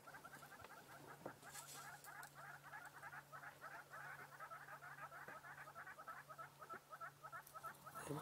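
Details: Unseen hornbills call from a tree at sunset in Sabi Sand on 24 October 2016, giving a long run of hollow, clucking notes, about three a second, over a low steady engine hum.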